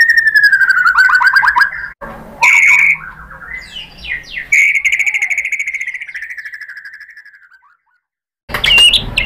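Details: White-rumped shama song used as a lure to provoke other shamas: a slurred whistle near one pitch, then a rapid rattling run of repeated notes, a pause, a long wavering whistled phrase fading out, and a sharp burst at the end.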